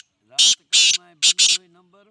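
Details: Black francolin (Francolinus francolinus), call.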